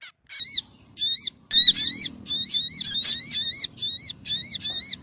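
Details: {'text': 'Sogon calls played as a bird-trapping lure: loud, clear whistled notes that rise and then dip, given in short bursts of several stacked tones with brief gaps, over a low background murmur.'}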